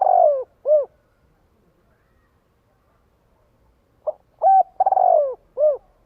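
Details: Spotted dove cooing to lure and gather a flock: low mellow phrases ending in a falling, slightly stuttered coo and a short rounded closing note, repeated after a quiet gap of about three seconds.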